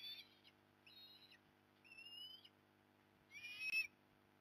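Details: Osprey calling at a Port Lincoln, Australia nest on 15 November 2020 while the mother arrives to help; four separate short whistled cries, the third a clear rising slur, set against quiet background.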